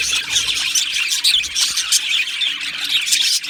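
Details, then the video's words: Aviary budgie flock giving a dense burst of squawks and shrill chirps, with a few sharper whistled notes poking through the continuous chatter. "Beautiful Budgies Birds Singing and Chirping Sounds"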